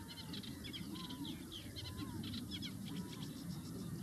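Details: Several sand martins give a steady run of dry, scratchy twitters over a heavy low rumble of wind or traffic, with a few soft, lower whistled notes.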